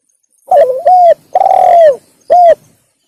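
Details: Spotted dove call played to lure wild doves: three loud hollow coos around 600–700, the middle one longest and slightly falling, spread over about two seconds in a quiet setting.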